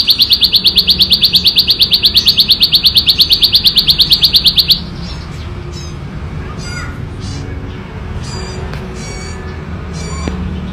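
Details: Plain Prinia, wild in nature, singing its loud, clear ngebren-style song: a fast, even run of sharp high ticking notes, about two per second, for almost five seconds. Then faint distant chirps from other birds over low background rumble.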